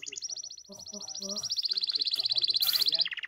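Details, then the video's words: Singing goldfinch kept as a hand-tame pet, giving a steady high trill that speeds into a dense, fast run of ringing notes, with faint low murmuring beneath. "goldfinch singing and full hand tame"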